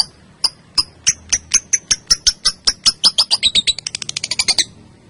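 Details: Female lovebird (balibu, Kusumo type) giving a long ngekek chatter used as a lure and master recording for other birds: about twenty-five sharp, high chirps that start spaced and speed into a rapid, tightening trill before stopping abruptly.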